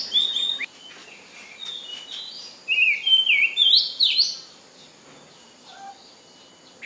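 A magpie sings a varied, scratchy warble of high chirps and sliding notes, loudest in a rapid burst midway, over faint background hiss.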